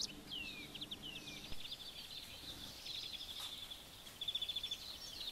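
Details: Bramblings (Fringilla montifringilla), apparently several birds, give overlapping calls of quick high chirps, downslurred notes and a buzzy trilled run over a faint steady background hum.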